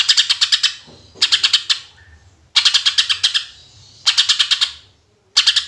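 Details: Greater green leafbird delivering loud tembakan-style song meant to lure other birds: five rattling bursts of six to seven sharp staccato pulses, evenly spaced about 1.3 seconds apart, with quiet gaps between.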